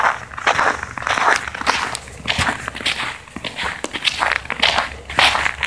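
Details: Footsteps crunching through dry ground at an irregular pace, with no animal calls heard.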